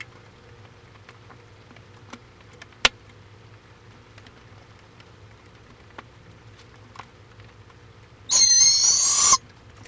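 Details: Barred owl recorded in Florida: after several seconds of quiet background with a few faint clicks and taps, one short, raspy, hissing screech of about a second cuts in near the end.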